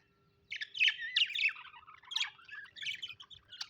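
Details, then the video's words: Several happy pet budgies chattering in a continuous warble of buzzy squeaks, short whistled slurs and rasping chirps that rise and fall quickly, with no pauses after a brief silent start. "happy budgies chirping sound"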